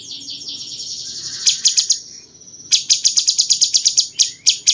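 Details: Cucak cungkok bulbul singing in captivity, a song said to resemble a cucak jenggot and used to tutor champion songbirds: a soft high trill, then bursts of rapid sharp chips after a short pause.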